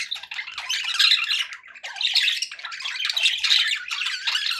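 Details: Happy budgies giving loud nonstop chatter, grating squawks and high chirps run together in waves of rising and falling loudness.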